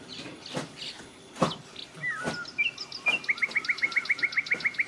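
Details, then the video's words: Bulbul giving a run of about a dozen quick, evenly spaced high bright notes after a slurred whistle, with sharp clicks and knocking noises early on. "bulbul bird sound"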